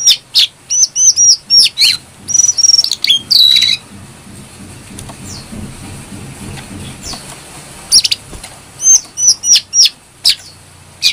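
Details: Brown-throated sunbird song used to lure and train songbirds: bursts of high, thin whistled notes and sharp chirps, a quiet gap in the middle, then renewed quick whistled phrases near the end.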